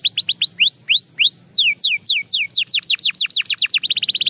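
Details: Belgian canary singing a series of repeated tours: quick downward-sweeping whistled notes, then slower rising slurred notes, then a run of falling sweeps speeding into a fast rattling trill at the end.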